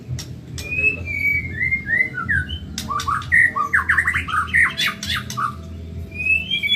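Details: Fast training song from a caged white-rumped shama of the Medan type. Soft sliding whistles open the phrase, then a dense jumble of clicks and rapid warbled notes follows, ending in rising whistles.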